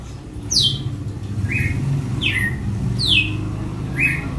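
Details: Red-cowled cardinal giving açoite song: sharp, whip-like downslurred notes, alternating between a higher and a lower pitch, roughly one per second, above a constant low rumbling background.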